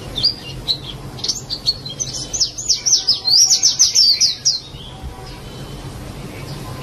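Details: High, fast twittering white-eye song, a few opening chirps followed by a quick run of thin, rising and falling whistled notes lasting about three seconds, then quiet hum.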